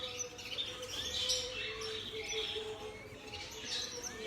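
Turquoise parrot chicks keep up a dense, overlapping chatter of high, thin chirps, with a steady low hum underneath.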